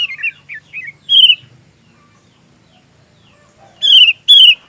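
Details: Sooty-headed bulbul (kutilang) singing, recorded as song-training material for magpie robins: a few short warbled notes near the start, a louder slurred whistle, a quiet pause, then two bright downslurred whistles at the end.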